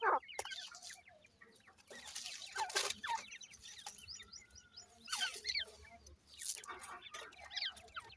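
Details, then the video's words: Grey francolin chicks in a home setting peep in bursts of quick high notes, interrupted by several loud rustling, scratching noises. "dakhni teetar chicks ki video,cute tetar babies"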